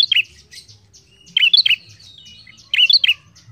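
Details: Bar-winged prinia singing as lure for a bird that will not sing: quick bursts of three or four sharp, bright chirps, repeated about every 1.3 seconds, with soft high twitters between phrases.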